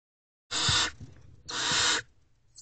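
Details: Barn owl, a female, at night in an owl box on 28 April 2023 around 4 am, checking on her owlets; two harsh, broadband hissing screeches, each about half a second, one second apart.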